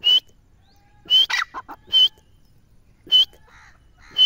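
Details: Grey francolin, known locally as teetar, calling: loud, harsh, high-pitched notes repeated roughly once a second, with a quick run of shorter rasping notes in between, over an otherwise quiet background.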